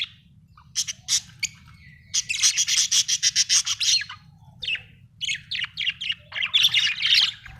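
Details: Happy budgerigar chirping in bursts of rapid, high, buzzy notes, including a run of quick evenly spaced chirps, with short pauses between phrases and a low steady hum underneath.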